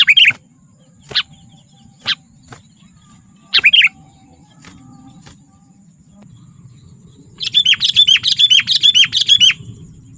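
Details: Sooty-headed bulbul, lively gacor song for attracting wild bulbuls and for song tutoring: scattered short chirps and one brief phrase, then a fast run of about ten ringing, down-slurred whistles near the end.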